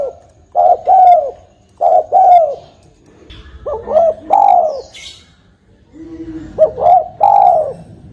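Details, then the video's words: Spotted dove lure call for trapping: repeated hollow coo phrases, a stuttered opening then a longer falling coo, with a faint thin high chirp and some low background rumble. "Suara burung tekukur"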